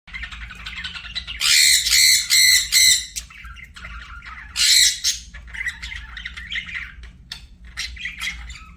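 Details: Pet budgerigars chirping: harsh, buzzy squawks loudest in a burst of rapid repeated notes around two to three seconds and again near five seconds, with softer warbling chatter between, over a low steady hum.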